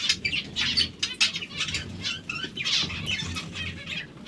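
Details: Zebra finches, hungry, produce a steady stream of short, buzzy, high-pitched chirps from several birds at once, rising and falling in intensity, with fluttering wings in the background.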